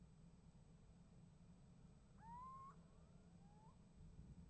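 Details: On a nest box livestream from 28 January 2015, a little owl gives one loud rising whistled 'kiew', and a softer answering call from another owl follows about a second later.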